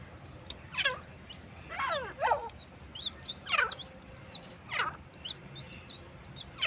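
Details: Fighting partridges calling in hoarse, falling bursts, some paired, at irregular intervals, while several small birds chirp thin, high, curving notes throughout.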